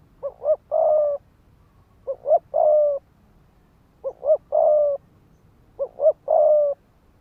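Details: Spotted dove used as a ground decoy with rapid 'thúc gù' cooing to rouse fighting males: four phrases about every two seconds, each a quick double note and then a drawn-out level coo.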